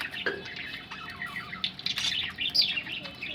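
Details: Budgerigars preparing to lay eggs, chirping and warbling continuously in a mix of short rising notes and squeaky bursts, with several birds seeming to overlap.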